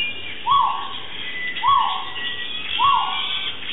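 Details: A crested guan (Penelope purpurascens) at Vida Silvestre, Mexico City, gives three loud, rising yelping notes about a second apart, each swelling then levelling off, with faint higher bird or insect tones behind.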